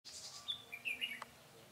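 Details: Red-whiskered bulbul with dark bib and partial cheek patch, a decoy bird singing during trapping on 21 August 2018; a short burst of clear, high whistled notes, slurred and warbling, over faint background hiss.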